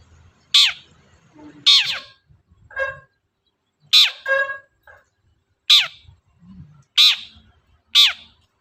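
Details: Long-tailed shrike lure sound for stirring a silent shrike, with loud harsh screeches at irregular intervals mixed with softer nasal, throaty notes between them.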